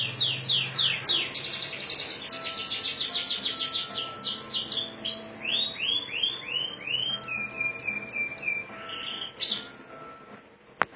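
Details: Canary from Majalengka in song imitating a Sunda whistling thrush: opening rapid whistled sweeps merge into a long high trill, then slower descending arched whistles and short clipped bursts, fading near the end with a sharp click.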